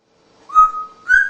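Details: Mature female African Congo grey parrot, a rescue, whistling indoors: a steady, level whistled tone followed by a brighter, slightly higher whistle, with a faint constant hum underneath.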